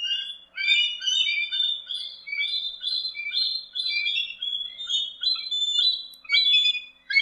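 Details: Bald eagle (Haliaeetus leucocephalus) giving a dense, continuous run of high, thin chittering and squealing notes in overlapping bursts, rising and falling in loudness every second or so, with no other clear sounds.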